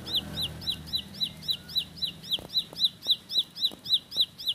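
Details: Ciblek, or bar-winged prinia, rolling out a steady string of high whistled notes, each rising then falling, nearly four per second, in the rapid 'tembakan' style, with a low rumble early on.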